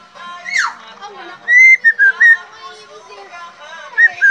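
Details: Captive helmeted friarbird being teased. A brief rustle opens, then three short whistled notes rise and fall, and two more whistles come near the end over a soft background hum.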